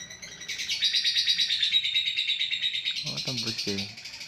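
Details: Caged fighter lovebird giving its long ngekek chatter: a sustained buzzy trill lasting over two seconds, then a few lower harsh notes near the end.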